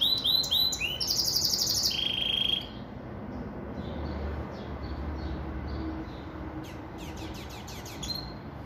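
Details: Venezuelan siskin and female Belgian canary hybrid, the Pintagol, kept in captivity, delivers quick high twittering notes that run into a bright sustained trill, stopping after under three seconds; a few soft chirps return near the end.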